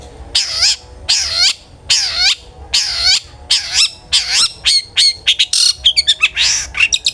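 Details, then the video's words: Long-tailed shrike song used as a singing lure for other shrikes: harsh, downward-swooping rasping notes repeated roughly every three-quarters of a second, then breaking into a faster chatter of short clicks and squeaks. "suara burung CENDET GACOR ampuh pancingan CENDET AGAR BUNYI"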